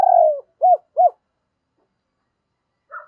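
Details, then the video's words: Spotted dove double call used as a lure: a long, falling coo followed by two short, rounded hoots, then silence and a faint rough note at the end. "Chim cu gáy gọi giọng đôi dùng kích bổi tập mồi hiệu quả"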